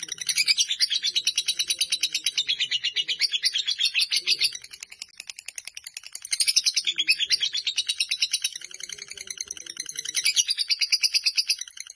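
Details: Fighter lovebird in an extended ngekek run: loud pulsed chattering in bursts, one short quieter gap, and soft low background noises.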